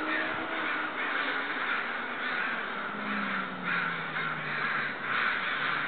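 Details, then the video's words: Agitated neighbourhood crows caw loudly and without pause near a back deck, their rough, overlapping calls pulsing irregularly about twice a second, while a faint gliding engine drone sits low in the background. "Crows seem upset"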